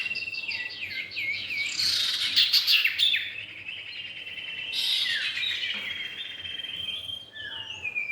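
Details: Male and female common iora as lure audio: a stepped series of clear whistles followed by a noisy burst of sharp high chatter, then slower slurred notes, with a continuous high hum.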